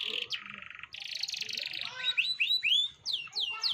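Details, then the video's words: Canary song played as a lure to coax a young canary into singing: loud buzzy rolled trills give way to a series of clear rising whistled notes and sharp chips, delivered quickly and continuously. "Pancingan Kenari Paud Agar Bunyi"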